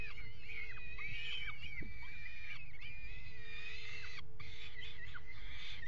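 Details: Peregrine falcons at a nest box on a water tower, mating on the box edge, 5 February 2018; harsh chattering calls with falling slurs, a brief gap near the end, over a constant low hum.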